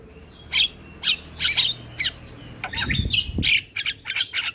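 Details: Morning model song of an Asian pied starling for young birds to copy: scattered squawky bursts and short whistles, with a brief low thump midway.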